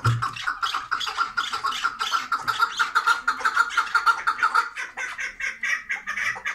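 Partridge giving harsh, clucking chuck notes about twice a second in a steady, ratcheting series, with a rasping, slightly echoing quality throughout.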